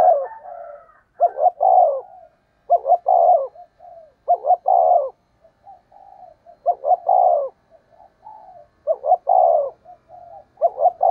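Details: Decoy spotted dove calling to attract wild doves, repeating roughly five low, mellow coo phrases. Each phrase has stuttering short notes leading into a longer rough coo, with quiet murmured notes between phrases and no other noise.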